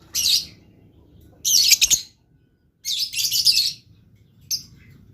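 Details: Blue lovebird in a lively singing mood, giving four harsh, high chirp bursts, each about half a second to a second long, separated by short pauses.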